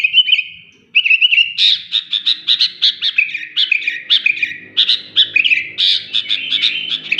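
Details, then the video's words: Short whistled phrase from a highly vocal sooty-headed bulbul, then after a brief gap a fast burst of loud chirping and warbled notes, with a soft low hum in the background. "BURUNG KUTILANG SUPER GACOR"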